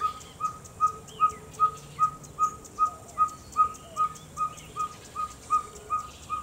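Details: A Ferruginous Pygmy-Owl in Orotina, Costa Rica, gives a long series of short, clear whistled toots, about two or three per second at a steady pace, with faint bird chatter behind.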